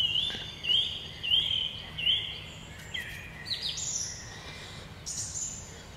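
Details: Song thrush singing through a forest, recorded 16 June 2020: a short rising whistled phrase repeated four times in quick succession, then lower and higher varied notes follow, with soft woodland background.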